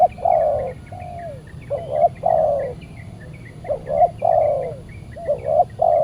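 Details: Very fierce wild spotted dove (tekukur) calling toward a decoy during a Saturday trapping session; repeated phrases of quick double notes and long mellow coos, about three sequences, with thin chirping of other small birds higher behind.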